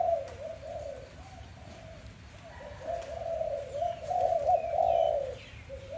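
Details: Morning dove sound: low, continuous cooing that builds into a louder, sustained phrase before easing off, with faint high chirps of other birds.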